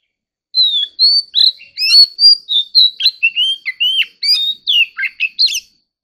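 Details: Oriental magpie-robin, kept as an ornamental bird, giving a song described as competitive singing: a rapid, varied run of clear whistled and slurred notes, some rising and some falling, with brief buzzy inflections in one continuous burst.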